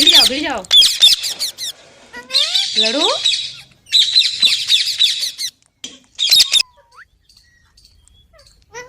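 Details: Green parrot starting with looping whistled notes, then harsh rasping squawks in several bursts, ending with a single thin rising whistle and near silence.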